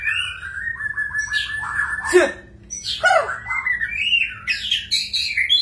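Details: Magpie-robin singing clear, rich whistles: a long level whistled note with quick trills, a brief pause, then rising and falling slurred phrases ending in high twittering.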